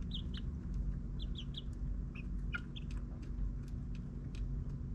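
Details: Backyard chicks in their ninth week give short, high peeps in pairs and small groups, fairly soft, under a persistent low engine-like drone of suburban surroundings.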